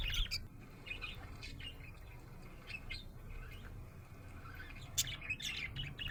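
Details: Happy budgerigar chirping, mixing scratchy squawks and high twittering notes in uneven bursts, louder at the start and again near the end, with a low hum underneath.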